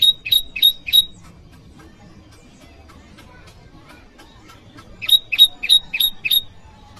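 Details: Bar-winged prinia calling a rival, a call variety used to lure wild prinias and train cage birds: two bursts of four to five sharp, high, ticking chirps, separated by about four seconds of quiet low hum.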